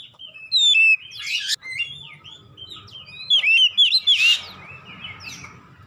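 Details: Singing kacer (Oriental magpie-robin) played as therapy so a silent kacer starts singing. Falling whistled notes and a harsh burst early, a quieter stretch, then a quick run of clear downslurred whistles and a buzzy note.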